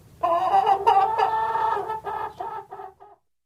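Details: Chicken clucking: one long, slightly wavering nasal cackle that breaks into a few shorter clucks trailing off into silence.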